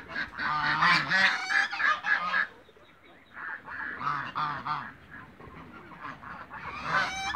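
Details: Mature and young African geese in a backyard honk loudly, a dense run of overlapping nasal calls for over two seconds, a short lull, then further honking bursts from several birds.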